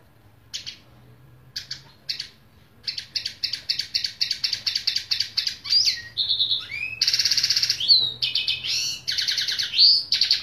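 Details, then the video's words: A songbird sings a varied high song: hesitant chirps build into a fast repeated chipping series, then sweeping whistles and long buzzy rattling trills. "نغريد طائر التفاحي"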